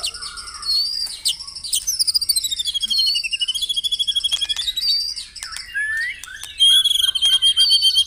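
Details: Morning dew-airing song of the white-rumped shama for rousing caged birds: high whistled glides, a long rapid series of evenly spaced pulses, then varied short whistles and sharp clicks.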